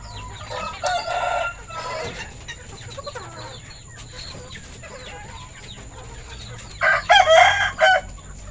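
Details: Rooster with red and orange feathers on a village chicken farm, afternoon feeding time, 21 February 2022; clucking and chirping flock, then a loud harsh crow near the end, preceded by an earlier shorter outburst.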